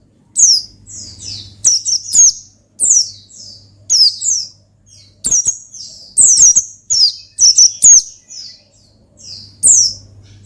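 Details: Oriental white-eye in lively gacor ngalas song to provoke a rival: dense runs of piercing, downward-sweeping chirps, nearly continuous, with short pauses between groups of notes. A soft low hum is heard now and then.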